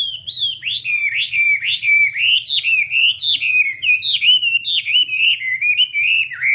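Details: Chinese hwamei song of loud, repeated whistled phrases that swoop down and up about every half second, forming a continuous fluty, rolling melody above a faint hum.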